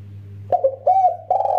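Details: Spotted dove, a male and female calling each other, utters three quick mellow coos after a brief hum-filled pause, the last one drawn out and rolling, all at a fairly low, even pitch.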